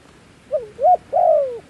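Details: Dove decoy calling wild doves, one clear phrase: a soft short hoot, a louder rising hoot, then a long, gently falling coo.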